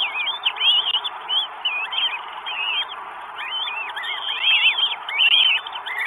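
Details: Northern goshawk, 12 May 2022, Estonia, food being delivered: wavering, curling whistles in overlapping bursts, louder toward the end, over a steady hiss.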